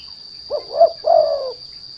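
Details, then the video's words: One cooing phrase from a spotted dove (derkuku) used as a lure: two brief rising coos followed by a longer, smoother, slightly falling coo, all low and soft, over a steady high whine. "The Sound of Lure Derkuku Lure"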